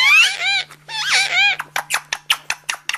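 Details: Parrot talking: two slurred, speech-like phrases with squeaky, rising tones, followed by a quick run of sharp clicks.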